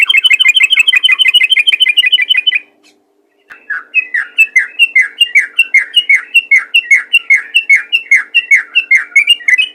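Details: Sooty-headed bulbul in energetic rapid song, used to prompt other bulbuls to sing. A fast run of bubbly, slurred notes repeats about two or three times a second, breaks off briefly, then resumes as choppy rising-falling phrases.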